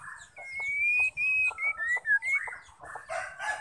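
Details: Female white-rumped shama call used to urge males into song: a run of clear whistled notes stepping downward with short gaps, closing in a harsh broad rasp.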